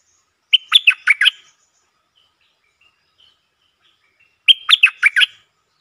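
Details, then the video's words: Red-whiskered bulbul singing a short, quick-opening song: two bright, warbled phrases of four or five whistled notes each, about four seconds apart, with silence between them. "เสียงนกดอกแตงEp.150 จ้าวขันเงิน เปิดดอกเร็ว เพลงสั้นๆแต่น่าฟัง Suara pikat merbah lekir"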